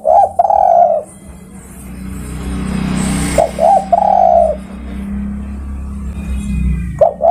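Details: Spotted dove calling to other birds, giving three coo phrases of short rising notes and a long coo. A rumbling, vehicle-like noise swells in the background between calls.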